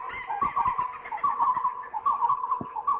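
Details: Oriental pied hornbill in Thailand, a run of harsh, cackling mid-pitched notes delivered in quick uneven bursts of about one per second, slightly nasal and chattering.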